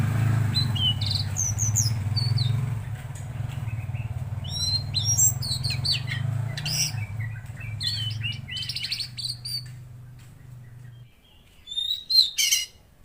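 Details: Busy Tledekan Laut song: tumbling high chirps, short trills and whistled notes in irregular bursts. A low hum fades out after eleven seconds, then loud sharp chirps close the passage.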